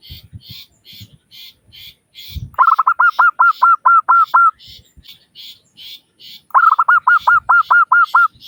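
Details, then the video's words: Local Zebra dove with a 'crystal' voice, used as a lure to prompt other doves to call quickly: two bursts of about nine rapid, clipped, evenly spaced cooing notes, with faint chirps from other birds throughout. "Suara Burung Perkutut Lokal Gacor Pancingan Perkutut Agar Cepat Bunyi"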